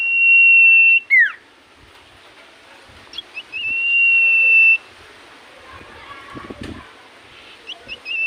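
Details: Singing common iora, said to draw an immediate reply from other ioras: a long level whistle cut by a quick downward slur, later a second drawn-out whistle with short chirps between, over quiet background noise.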